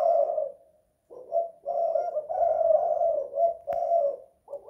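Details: Spotted dove indoors in a house, singing in the Indonesian 'kuk 2 / guk 1' style: low hollow cooing phrases, several joined coos, then a short pause and a clipped restart, with a sharp click near the end.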